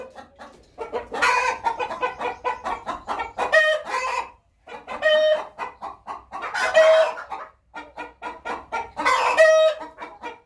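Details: Domestic hen about to lay an egg repeats a rhythmic phrase three times: evenly spaced clucks speeding up and rising into a long, loud squawk, with short pauses between phrases.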